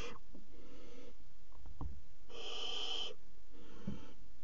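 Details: Barn owls mating on the rim of a nest box in the Axel water tower, 5 February 2018: a loud, wheezing hiss between softer breathy ones, with a few light clicks and taps.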